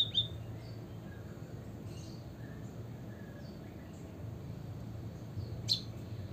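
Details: White-headed munia chirps used as a lure call to get other munias singing: thin, high chirps, with two sharper notes near the start and end and fainter ones between, over a steady low rumble.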